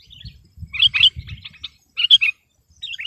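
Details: Sooty-headed bulbul in full voice to overpower rivals: two short bursts of clear, bubbly whistled notes separated by a pause, with a soft low rumble underneath.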